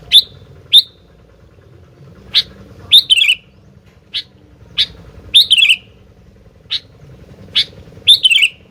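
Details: Sooty-headed bulbul singing vigorously: short bright chirps repeated between bubbly, falling warbled phrases that recur every two to three seconds, over a steady low hum.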